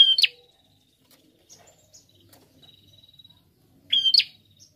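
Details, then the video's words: Prinia gives two loud high phrases, level whistle then buzzy upward flick, about four seconds apart; soft scattered ticks and quiet rustling in between. "Prenjak Gacor"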